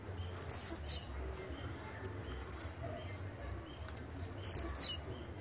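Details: Blue-black grassquit, also called chirrío, pirra, tiziu or volantina, gives a shrill buzzy note sliding downward, then repeats it about four seconds later; brief faint high ticks and whistles fill the gap over a low steady hum.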